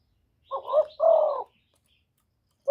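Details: Spotted dove calling and cooing: one low two-part coo, a short wavering note followed by a longer, steadier hooting phrase, with silence around it.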